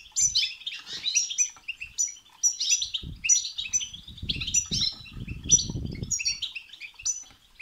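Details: European goldfinch song meant to stimulate another goldfinch to sing: rapid twittering, tinkling phrases in high bursts repeated roughly every half second, with soft low thumps and rustling in the background.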